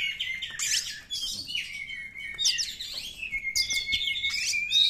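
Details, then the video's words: Wild Oriental magpie-robin song, meant to draw silent, stressed caged birds into singing: loud, varied twittering bursts alternate with long, level whistled notes in a steady, rich pattern. "suara KACER ALAM"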